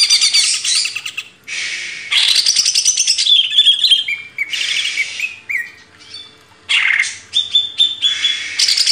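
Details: In a master recording for training cage birds, a Greater green leafbird alternates loud, rapid, high-pitched chattering phrases with flat whistled notes and short pauses.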